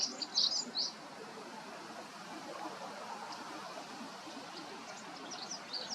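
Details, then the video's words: White Wagtail (Motacilla alba) giving a few brief, high chirps near the start, then fainter scattered notes later, over a steady hiss of background noise; whether song or call is uncertain. "ハクセキレイの鳴き声 03【鳥の鳴き声図鑑】さえずり？地鳴き？White Wagtail / Motacilla alba"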